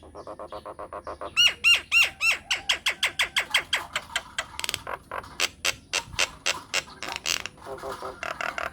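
A myna sings a fast, varied series of loud whistles, rising sweeps and harsh chattering notes, about three or four per second, with no other sounds.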